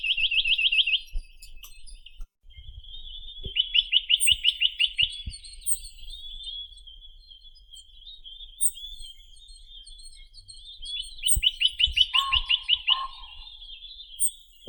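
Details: Sitta villosa, the Chinese nuthatch, delivering three separate quick trills of high repeated notes, with a steady high hum, faint bird chirps and a few lower notes near the end.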